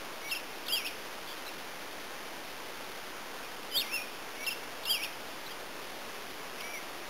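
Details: Yellow finch at a hostel in Manchester Center, Vermont, giving short high chirps in small clusters spread across several seconds over steady hiss and background noise.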